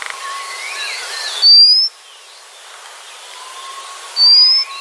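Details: White-capped redstart (Phoenicurus leucocephalus) giving two thin, high, slightly rising whistles about three seconds apart, over a steady rush of water.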